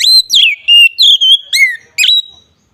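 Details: Single ngeplong phrase of an Oriental magpie-robin, used as a lure: six or seven loud, pure whistles in quick succession, a long falling glide, level notes and a final sharp rising note that trails off.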